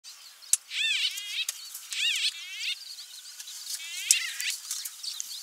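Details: White-fronted bee-eater in Kruger National Park giving rolling, nasal, trilled calls in short bursts about every one to two seconds, over a quiet outdoor background.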